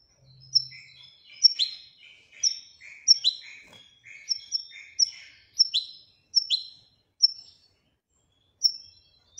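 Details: European goldfinch giving sharp, separate high chirps roughly every second, interleaved with soft buzzy twitters, with a brief low hum at the start.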